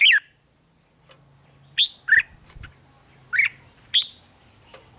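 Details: Caged red-whiskered bulbul, Thailand, rik style: scattered single whistled notes, some rising and some falling, spaced about a second apart over a low background hum.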